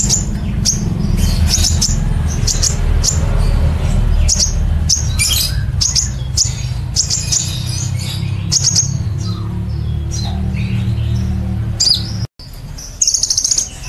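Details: Brown-throated sunbird, known locally as kolibri ninja, delivers the lively 'nembak cililin' song used to train caged songbirds. Rapid, high, sharp chirps and short trills follow each other several times a second over a loud low hum. A brief dropout occurs near the end.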